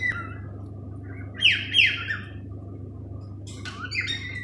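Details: Captive male cockatiel singing in a small room: a level whistle, then two loud descending whistled notes close together, then falling squawky whistles, all over a constant low background hum.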